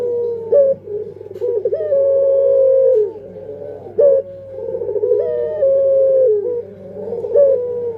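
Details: Cooing of a puter pelung dove: quick stuttering trills lead into long, even coos, repeated about three times, with a low hum in the background.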